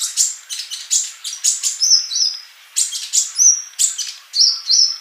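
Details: Energetic male sunbird song for training mute young birds: clusters of rapid high chips alternate with drawn-out thin whistles, phrases repeating about every second.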